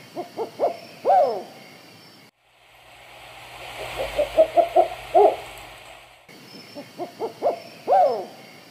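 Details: Black-banded Owl pair dueting at night, typical of courtship, male deeper and female louder and higher: series of short deep hoots building to a longer, louder, higher hoot, repeated; hissing noise breaks the middle.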